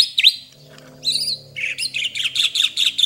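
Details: White-rumped shama singing a rich fill-in style: a dipping whistle, a brief pause, then a dense sequence of quick, chattering high notes repeated in a steady rhythm.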